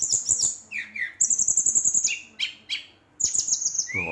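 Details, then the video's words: Brown-chested jungle flycatcher singing vigorously at night to provoke rival birds: high thin whistled phrases, some sliding down, mixed with rapid chittering notes and a short rising whistle at the end. "SRDC Gacor Ngeroll, Sikatan Rimba Dada Coklat ngamuk memancing emosi srdc lain"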